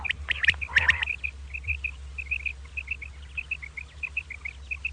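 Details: Common quail calling in the morning: after a brief burst of harsh, buzzy notes, short clipped high notes repeat steadily in quick pairs and triplets, evenly spaced against a low, constant background hum.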